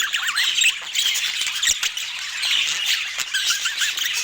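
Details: Budgerigars chirping over a meal, bubbly warbles and short rising and falling whistled notes over a background of steady flock chatter, with a few sharp clicks.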